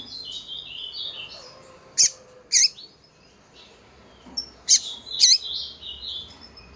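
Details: Female double-collared seedeater piping to excite males. Two sharp chips sound half a second apart, then two more after a pause, over soft, thin, high warbled phrases in the background.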